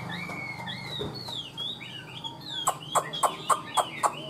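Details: A tame, caged Chinese hwamei sings loud, varied whistled phrases that slide up and down, then a run of sharp, rhythmic notes about every quarter second, over a low hum.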